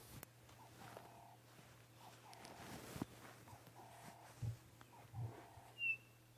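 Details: Chinspot batis, the "breakfast bird", calling on a misty May 14 sunrise safari: plain mid-pitched whistled notes about every second and a half, over a steady engine-like hum, with a few soft thumps and a brief higher whistle.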